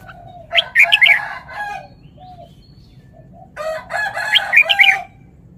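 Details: Two lively song phrases from a caged red-whiskered bulbul showing off, each a tumbling cluster of bright chirped whistles about three seconds apart, with lower, rougher calls of other birds underneath.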